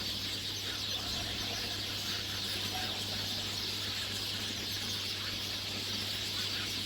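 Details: Flock of hungry sparrows at a yard feeding spot, their overlapping chirps merging into an unbroken, bright, high-pitched chorus, with a low steady hum in the background.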